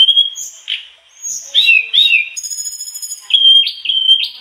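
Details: Mangrove blue flycatcher singing lively copied phrases: steady whistles, a short slurred warble and a ringing buzzy note, ending in three quick, even whistled notes.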